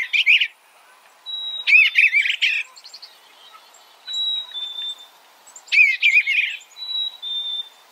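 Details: Eastern bluebird giving short warbled, chattering phrases in three bursts several seconds apart, with thin, steady high whistled notes between them.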